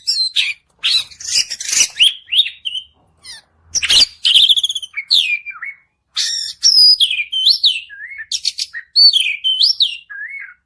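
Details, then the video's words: Long, busy 'gacor' song of an Oriental magpie-robin, played to stimulate another bird to sing: scratchy bursts, rising and falling whistles and twisting trills, nearly unbroken for ten seconds. "kacer Gacor Panjang || kacer macet bunyi pasti nyaut"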